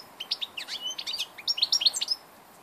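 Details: On 2 August 2014 an old European goldfinch sings a continuous, rapid twitter of tinkling, slurred and buzzy high notes, tumbling along without a break.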